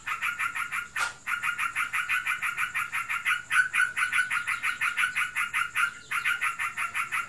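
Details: Sooty-headed bulbul owned as a pet and said to be in breeding condition, giving an unbroken ngebren chatter of quick raspy notes, about four per second, halted by a short gap near the one-second mark and again near six seconds.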